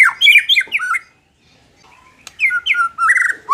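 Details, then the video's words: Song of a white-rumped shama, played to make a bird less timid in competition: a short burst of clear whistled slurs and chips, a second of silence, then more rising whistles and a trilled phrase. "suara ini dapat mengatasi murai batu kurang ngotot"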